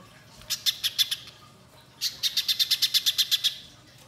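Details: Spiderhunter in full song for prompting young birds to sing: a short cluster of sharp, high chips, a pause, then a longer even run of quick notes.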